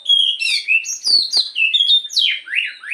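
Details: Oriental magpie-robin singing a pancingan, or lure song, in the morning: a dense run of whistles, sweeping slurs and sharp clicks, ending in buzzy rising notes.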